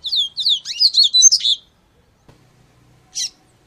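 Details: A seedeater's quick, high warbling phrase of about a second and a half, its notes tumbling and slurring, followed after a pause by a single short buzzy note and a faint knock.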